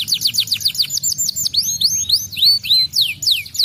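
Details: A canary sings a fast cascade of descending chirps, then slurred rising whistles and sweeping notes, with a soft low hum behind.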